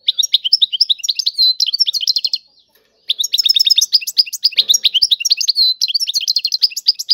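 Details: European goldfinch in tiwawati style, two bursts of quick, tinkling twitter with buzzy inserted notes, separated by a roughly half-second silence.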